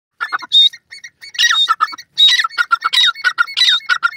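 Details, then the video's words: A partridge gives harsh, squawking notes in quick, uneven bursts, with a thin high whistle between them and nothing else heard. "Partridge Calls,awaz bird teetar"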